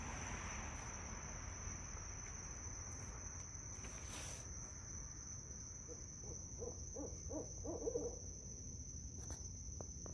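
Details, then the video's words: Nighttime park with five barred owls trading calls; in the second half comes a quick series of low, rhythmic hoots that grow louder toward the end, with insect buzz and a persistent high tone throughout. "The Calls of the Beautiful Barred Owl"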